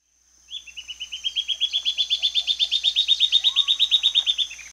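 Silvered Antbird giving a fast, even trill of sharp high notes, about eight per second, rising slightly before dropping at the end, over a steady high insect whine.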